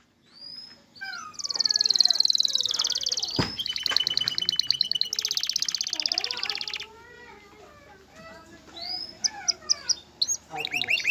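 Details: Male canary singing to prepare a female for mating and encourage her to build a nest: fast buzzy rolling trills with sliding whistles, then a quieter stretch of lower whistled notes and short bright chips.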